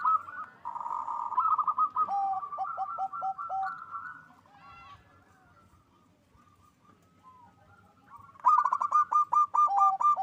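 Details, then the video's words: Zebra doves of a local strain in vigorous, full-voiced song used to stir mating drive: overlapping rolling coo trills with a lower, downward-hooked second voice, a quiet gap, then a loud, rapid burst of repeated notes. "Perkutut lokal GACOR suara besar NAIKAN BIRAHI"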